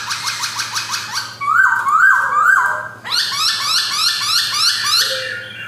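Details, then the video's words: Black-throated laughingthrush, white-cheeked caged male, Jogjakarta, 2021. It gives a fast run of short, evenly repeated rising notes and a pair of loud swooping whistles, then another quick repeated series of bright notes. "BEAUTIFUL POKSAY BIRD GARRULAX CHINENSIS SINGING"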